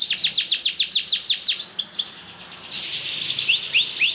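A Belgian canary sings a fast series of sharp descending chirps, then shifts into a rolling, high trill with a few rising slurred notes.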